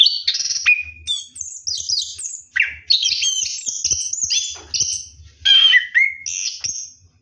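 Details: At night during a bath, an orange-headed thrush pours out a dense ngeroll song of rapid, varied whistles and chirps, high notes tumbling into lower slurred phrases almost without pause.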